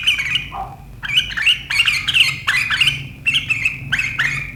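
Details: Sooty-headed bulbul (kutilang) singing sharp riwikan chatter that sets rivals singing, 7 April 2023: a dense run of scratchy, chattering high notes in short bursts, with a low hum underneath.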